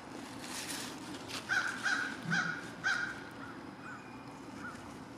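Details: Around lunch an American crow gives four strong rasping caws in quick succession, followed by softer, more distant caws against a low outdoor rumble.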